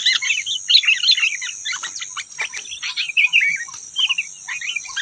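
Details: A rufous-tailed robin outside sings against caged birds: fast, tumbling high twitters and chirps in uneven bursts, with a constant high-pitched tone underneath.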